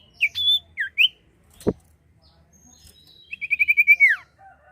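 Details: Common iora song for luring birds: a few bright slurred whistles, a single sharp click, then a quick string of about eight repeated short notes dropping into a falling whistle.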